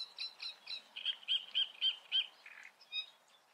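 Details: Great reed warbler singing in the Eifel, Germany: a run of harsh, grating notes, then about five loud, even, tonal notes repeated roughly four times a second, ending in scratchy chatter.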